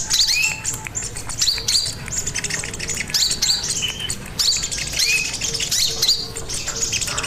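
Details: Lively crimson sunbird song for tutoring and luring other birds: rapid, sharp, high-pitched twittering notes and brief upslurred whistles packed closely together, over a faint repeating low tone.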